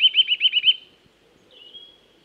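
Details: Woodland Eurasian nuthatch with a short run of six quick whistled notes, rising and dipping, then a single drawn-out thin whistle after a brief gap.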